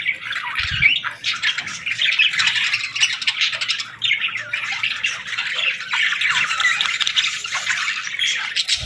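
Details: Baby budgerigars calling for food, a dense, continuous stream of raspy, buzzy chirps overlapping without pause, with only a few soft thumps beneath.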